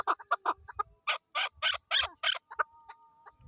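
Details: Male and female Chukar partridges in Swat, Pakistan, 2022, give a rapid series of rough clucking notes in uneven bursts, with low thumps, a faint steady tone and people talking nearby.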